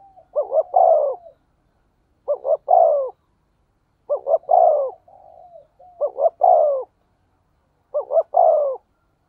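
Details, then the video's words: Spotted dove with a standard 'thổ sấm' voice, a lure recording to excite wild doves. Five evenly spaced phrases, one roughly every two seconds. Each is a quick double note then a drawn-out falling coo. "Chim cu gáy giọng thổ sấm chuẩn // tiếng chim cu gáy kích bổi mới rất hiệu quả"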